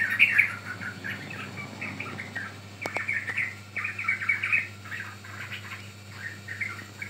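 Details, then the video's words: Lure song of a young yellow-vented bulbul for training birds: clusters of sharp chirps and twittering notes, louder at the start, with a couple of clicks and a faint low hum. "Pancingan Ampuh Burung Trucukan Paud"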